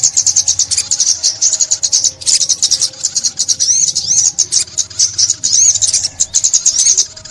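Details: Continuous high sunbird chatter, recorded in 2021 for trapping: dense rapid chips and wavering slurred whistles running almost without break, with faint low background hum.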